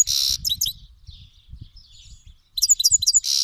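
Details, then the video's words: Iranian goldfinch, a Himalayan and black-headed cross from Fars province, Iran, singing to teach young birds: a harsh buzzy burst, quick twittered notes, a soft pause with low rumbling, then more twitters and another buzz. "Himalayan Goldfinch Singing"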